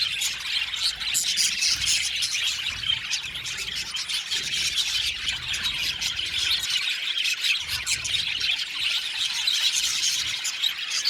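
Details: Crowded aviary of 70 budgerigar pairs, with a long stretch of nonstop squealing, chirping chatter from the whole colony, and occasional muffled low bumps.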